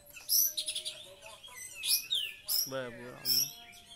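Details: An oriental magpie-robin sings a varied run of high, sweet whistles and quick chirping trills.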